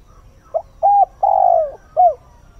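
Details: Spotted dove used as a decoy, calling at dawn to lure wild birds: one phrase of four hollow coos, a short soft note, a bent note, a long drawn-out falling coo and a final short falling note.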